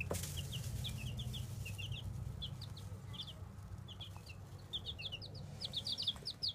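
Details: Baby chicks giving rapid high-pitched peeps, often in pairs and triplets, getting busier and louder toward the end, over a strong continuous low droning hum.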